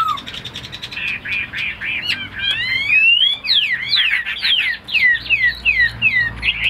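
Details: Tamed Chinese hwamei in captivity: a low opening note, then a fast sequence of sharp upward and downward whistled sweeps, repeated at a brisk, excited pace.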